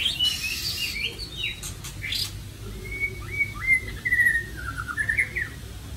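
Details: Caged white-rumped shama kept at home in Vietnam, singing softly: a run of varied clear whistled phrases, short rising and falling slurs strung together over about four seconds, after some brief noisy rustling at the start.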